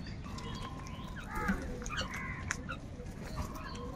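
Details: Crows fighting with other wild birds over food give harsh, nasal caws in short, overlapping bursts, several in a few seconds, over a steady low rumble of background noise.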